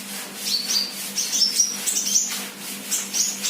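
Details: Sunbird, an untrained 'bahan' bird said to be in full 'gacor' voice, pours out near-continuous high, thin chirps and short trilled notes, slightly scratchy, with a constant low hum underneath.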